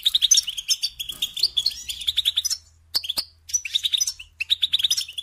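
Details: Tutor song of a European goldfinch for teaching young birds: quick chattering twitter for two and a half seconds, a gap, then sharp single notes and renewed tinkling phrases, with a soft low hum.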